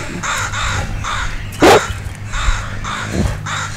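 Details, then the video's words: Agitated crows, parents of two young crows learning to fly, cawing at a dog; a string of harsh, hoarse caws about every half second, broken by one loud close bump, with low background rumble. "Sadie Meets The Crows, And Boy Are They Mad!"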